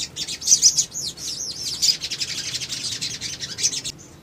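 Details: Little spiderhunter male used as a lure to provoke other birds to respond: a dense, continuous stream of very high, thin chirps and quick down-slurred notes.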